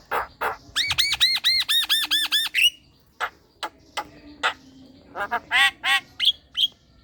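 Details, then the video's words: Black-winged myna lure calls aimed at young and untrained birds: a rhythmic run of about eight arched yelping notes, then spaced harsh squawks and short whistled clicks. "JALAK KEBO MUDA dan BAHAN Pancing dengan suara ini | Pancingan jalak kebo"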